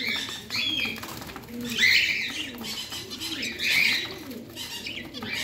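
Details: Parrot kept indoors, giving bursts of harsh, scratchy chirping and warbling in two loud phrases, with soft low cooing underneath throughout.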